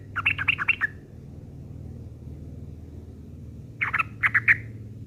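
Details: Sooty-headed bulbul giving rough chattering used as tutoring material for long-tailed shrikes: two bursts of harsh, rapid, stuttering notes, about five each, separated by a pause of nearly three seconds, over a steady low hum.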